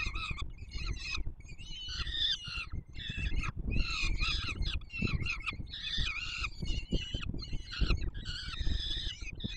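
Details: Peregrine falcon young begging during a feeding by the male at their Warsaw nest site, 7 July 2022; continual rasping, harmonic shrieks in irregular bursts, some rising and falling, with a low rumbling background.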